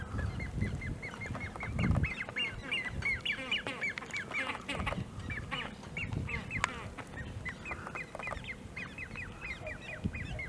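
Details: Great crested grebe with young, recorded 1 August 2018 at De Gouden Ham, Maasbommel: continuous stream of high, short whistled peeps, many overlapping notes repeated rapidly throughout, with steady low rumble and occasional clicks beneath.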